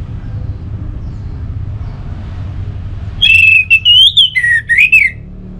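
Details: Caged Orange-headed thrush, North Bali, used to set other songbirds singing: after a quiet stretch of low hum, a rapid series of loud whistled notes sweeping up and down.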